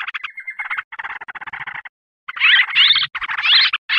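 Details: Lure track of yellow-vented bulbul calls for attracting wild birds: quick buzzy chatter notes about 160 a minute, a short steady whistle, a pause, then louder scratchy rising phrases.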